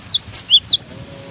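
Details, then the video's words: A brief phrase from a cinereous tit in strong wind: four high, clear whistled notes, two dipping V-shaped slurs around a lower sweet note, with faint wind noise below. "Diterpa angin kencang! burung gelatik batu ini tetap gacor"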